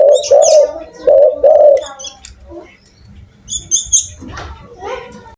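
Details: Loud-voiced spotted dove in Indonesia giving a run of low, rounded coos in quick pairs during the first two seconds, then quiet, leaving scattered high chirps and twitters from other birds and faint background rustling.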